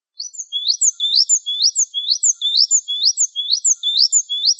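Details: Java sparrow (Gelatik Wingko) in a tutor recording: rapid series of high, sweeping chirps, each sliding downward then up, repeated about twice a second in a lively, slightly uneven rhythm; nothing else audible.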